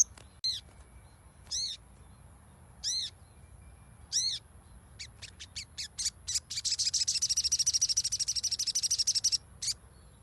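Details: Lure song of a crimson sunbird meant to start a silent bird singing: four spaced arched high notes, then scattered sharp ticks building into a long, fast, shrill trill, with a constant faint high-pitched tone behind.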